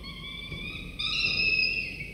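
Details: Begging falcon chicks, two nestlings aged 24 to 25 days, recorded on a nest camera during a morning prey delivery by the father; a steady thin whine that jumps abruptly louder and higher midway.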